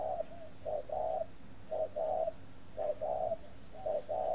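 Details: Repeated mellow cooing from a breeding spotted dove kept in an aviary in Ba Vì, Hanoi, Vietnam; each phrase pairs a short note with a longer rounded coo, rhythmic and regular, with low hum behind.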